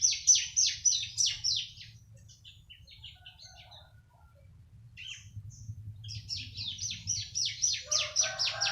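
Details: Bar-winged prinia aged three months delivers quick strings of high downslurred notes, first a loud run, then softer scattered chips, then another strong rapid burst with faint lower whistles beneath; constant low background hum.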